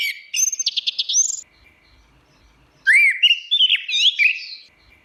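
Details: Orange-headed thrush song with a fast series of repeated chipping notes, then after a quiet gap a rich phrase of sliding, rising and falling whistles and warbles.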